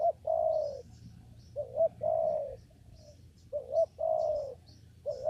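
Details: Spotted dove calling in a papaya garden while being trapped with a lure; rhythmic low coos, a short doubled note then one long smooth coo, repeated roughly every two seconds over light background chirping.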